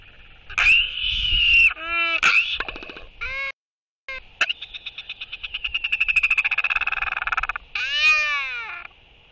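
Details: Two royal albatrosses in a courtship interaction, one welcoming the other with skycalls and displays, 11.6.23: several loud, harmonic, braying calls with arched pitch, then a long run of rapid pulses building and fading, ending in another arched moan.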